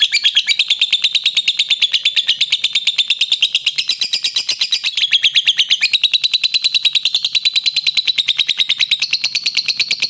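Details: Pet lovebirds kept together, giving a continuous high, shrill chatter of rapid buzzy notes, about three per second, steady and unbroken throughout.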